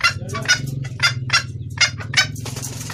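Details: Hen red junglefowl calling for a male, recorded cleanly for luring males: a short run of raspy clucks, about two per second, with a soft low droning hum underneath.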